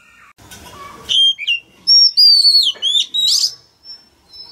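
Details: Male Oriental magpie-robin singing to stimulate a young bird: low murmuring, then a series of loud, clear sliding whistles and a short buzzy burst, ending with a faint held tone.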